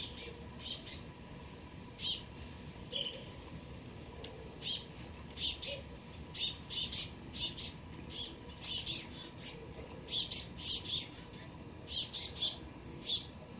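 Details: Juvenile male black-goggled tanager at a garden fruit plate on its first visit, observed by a pair of dusky-legged guans. Rapid series of very high, sharp chips, often doubled, repeated steadily throughout, over low background hum.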